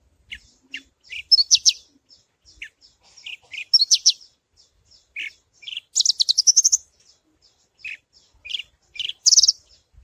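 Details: Javan bush lark, subspecies parva, pouring out a varied song of quick high trills, sharp chips and short descending notes, repeated in uneven bursts, intended to draw other larks into singing.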